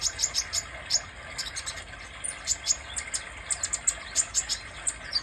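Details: Sunbird, known locally as kolibri dada merah, singing a rapid string of thin, very high chirps and sharp ticks, with uneven pauses and a steady faint hiss beneath.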